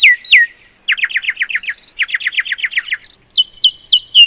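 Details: Common myna song of falling whistled notes, then rapid runs of short descending chips about six in quick succession, repeated twice, ending with a series of higher whistled notes that drop sharply at the end.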